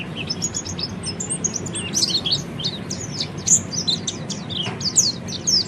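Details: Oriental white-eye singing ngeriwik for training other birds: continuous high, rapid twittering with occasional louder sharp chirps, over steady low background noise.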